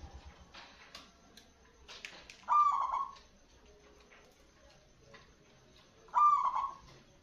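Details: Loud zebra dove song used as a lure for attracting birds: two matching rolling, burry coo phrases about three and a half seconds apart, each starting sharply and fading out, with faint clicks and rustling in between.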